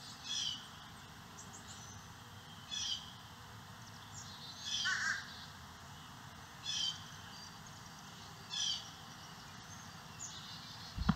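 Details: Carolina chickadees feeding their nestlings on a property landscaped with over 70% native plants in St. Cloud, Osceola County; short buzzy, harsh bursts come roughly every two seconds over quiet background hiss, ending in a sharp knock.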